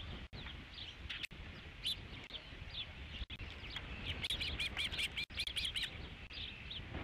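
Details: Osprey at the Dunrovin Ranch nest, 3 July 2016, fifth fish of the day arriving: faint scattered chirps early, then a quick run of high whistled notes near the end, with low rumbling noise throughout.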